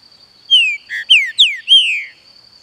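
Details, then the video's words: Captive green-winged saltator delivering one clear whistled phrase: long downslurred opening note, a brief low buzzy note, two quick falling slurs and a long fading final whistle, with a faint constant high-pitched tone behind. "TRINCA FERRO CANTANDO"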